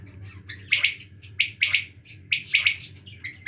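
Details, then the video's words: Quail calling in the winter season: clear, sharp whistled notes in quick groups of two or three, repeated about once a second, over a steady low hum. "quail calling in winter season"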